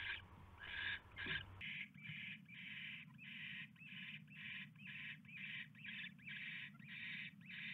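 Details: Owl at the nest at 12:43 AM on 27 January 2016, when a huge rat is delivered; a steady run of short, rasping hissed screeches, roughly two per second, over a low rumbling background that drops away early.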